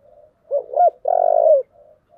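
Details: Spotted dove giving an intense fighting challenge call in the 'giọng thổ' voice style: two short hooting notes followed by a long, purring, vibrating coo, low and mellow, with a softer coo trailing off at the end.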